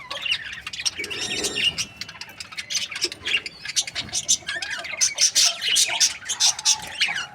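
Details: Several budgerigars from breeding pairs chatter in overlapping high chirps and squawks, rising to louder, brighter bursts in the second half.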